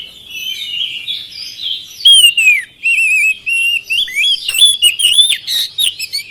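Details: Lure song of an oriental magpie-robin for birds that will not sing: soft warbling at first, then a loud descending whistle and a steady series of clear whistled and chirped notes repeated at a lively pace.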